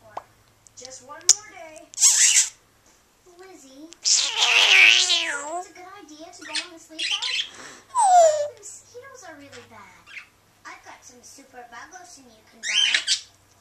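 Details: Pet female African grey parrot indoors in a small room, performing a run of favorite sounds and a first-time cat meow imitation: chattering speech-like babble, harsh squawks and a sliding, falling whine near the end.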